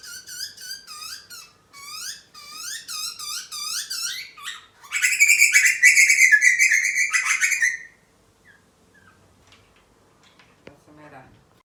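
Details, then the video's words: Butcherbird chick being fed: rapid series of down-curved squeaky chirps, then a loud harsh buzzy begging burst for about three seconds, followed by near silence with faint clicks. "Butcher Bird & Baby"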